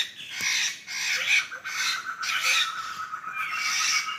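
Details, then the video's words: Laughingthrushes moving as a flock through forest in Sumatra, giving loud, rasping squawks in four or five spaced bursts against a continuous thin whining tone. "Suara burung Poksay dihutan"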